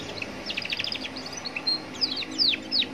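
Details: A young Atlantic canary sings beside a road, its song meant to draw answers from other canaries; a fast buzzy trill opens, followed by sharp descending whistled sweeps, over low background hum.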